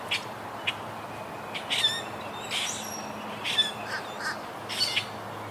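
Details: Treetop colony of wild Quaker parakeets, rebuilding after Hurricane Irma in 2017: irregular raspy squawks and short chattering notes, some faint and distant, with a constant low hum behind.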